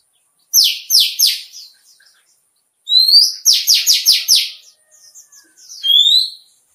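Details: Líu chòe style song of an Indian white-eye, used to stimulate contest birds: quick series of high descending buzzy notes, three then five in a row, with thin rising whistles and soft twitters between.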